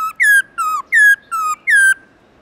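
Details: Morning forest-style song (giọng rừng) of a black-throated laughingthrush: five loud, clear whistled phrases, each sliding downward, evenly spaced about every 0.35 seconds, then silence.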